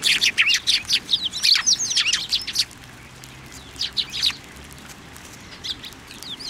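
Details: Flock of Eurasian tree sparrows gathering in a plum tree at a Tenmangu shrine in February 2024, giving quick overlapping chirps and twitters that thin out midway and resume briefly later.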